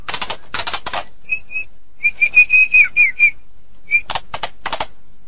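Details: Medan-type white-rumped shama singing steadily, with coarse buzzy bursts framing a string of clear, evenly pitched whistled notes delivered in a rapid series.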